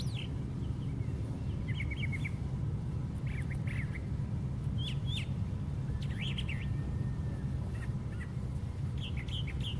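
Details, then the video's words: Brown thrasher singing from the very top of a white pine tree: a run of varied, short chirpy and whistled phrases, some given in quick pairs, spaced across the recording over a constant low background rumble. "Brown Thrasher Singing at Top of Pine Tree"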